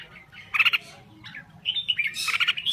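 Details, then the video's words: Red-whiskered bulbul from Thailand gives a few sharp, fluty notes and a short squawky burst over a low steady hum. "Kicau Burung Merbah Jambul Gacor"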